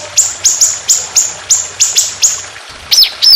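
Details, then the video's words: [['Trotolan songbird in a training recording for songbirds, song in an aggressive, long, rough, continuous shooting style: a series of short, very high, sharp notes repeated about every quarter second, then two higher downslurred whistles.']] "Masteran Burung Trotolan Jahat Tembakan Panjang Kasar Ngedur"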